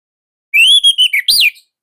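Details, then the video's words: Captive Orange-headed thrush from Indonesia in full song: a long rising whistle sliding into shorter level notes, then a sharp upward-arching final note with a brief clicky burst. "Kicaumania Anis Merah Indonesia//Gacor Nonstop."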